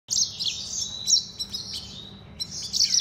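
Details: Mozambique serin x canary hybrid singing a loud, high, fast twittering song of buzzy trills and sharp chirps, with brief pauses before a renewed burst near the end, over a faint low hum.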